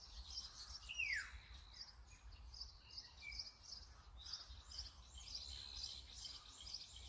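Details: Brown-eared bulbul recorded through a Sony camera with a 200-600mm telephoto lens gives one clear downward-sweeping squeal near the start, followed by a scatter of soft, high-pitched chirping from other birds in the background.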